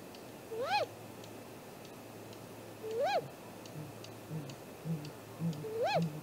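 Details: Great grey owl visiting its nest at 7:15 am, 2 April 2018, captured by a nest camera: three rising-falling whistled calls spaced about two and a half seconds apart, with faint deep hoots toward the end.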